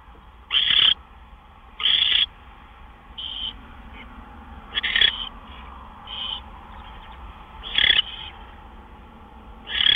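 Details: Owl at its nest after midnight on March 26, 2013, with two gopher deliveries; strong harsh screeches at irregular intervals, about seven loud bursts interleaved with quieter breathy hisses.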